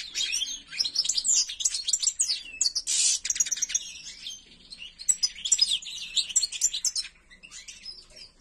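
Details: Song of a kept white-throated (ak gerdan) European goldfinch: a fast, continuous run of bright twittering notes, trills and buzzy rasps, high-pitched and tumbling, with one loud burst near the middle and softer scattered notes toward the end.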